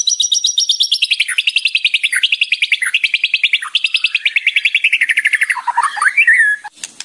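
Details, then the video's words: White-rumped shama (murai batu) training song: long rapid trill of repeated buzzy notes, stepping down in pitch in several phrases, ending in a few slurred whistles. "MURAI BATU / WHITE RUMPED SHAMA SONG"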